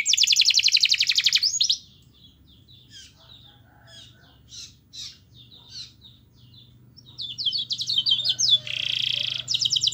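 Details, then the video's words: Canary used as a master singer to encourage other canaries to sing. Opens with a loud rapid trill, fades to scattered faint chirps, then returns with a buzzy roll and quick repeated high notes. "MASTERAN KENARI GACOR Yang Lain Agar Ikut GACOR"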